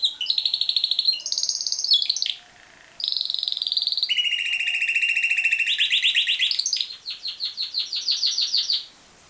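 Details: Captive-bred pied Timbrado canary in full song, with long continuous rolled trills that shift between high and lower pitches and pause briefly, ending in a slower pulsed trill.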